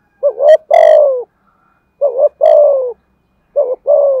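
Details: Decoy spotted dove giving repeated thúc gù coo phrases in a giọng thổ voice. Each phrase pairs a short wavering note with a louder, harsh, slowly falling coo, three phrases with silent gaps between them.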